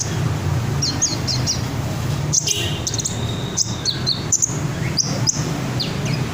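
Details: Red sunbird singing in high, thin whistled phrases with short chirps and brief trilled bursts, against a constant low rumble of background noise.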